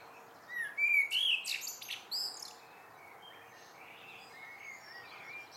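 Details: Common blackbird singing an evening greeting: a low fluty, warbled phrase rising in pitch, then a burst of high squeaky twittering, followed by quiet background.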